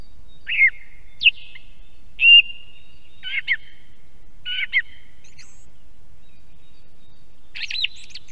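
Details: By an Estonian osprey nest, a song thrush strings together varied short phrases, whistles and clustered chirps roughly every second, ending with a louder buzzy flourish after a pause.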